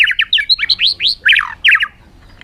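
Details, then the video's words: In a 2021 recording, a bird delivers a rapid jumble of chirps and upslurred whistles, bright and busy, stopping abruptly after about two seconds. "suab noog quaj zoo heev"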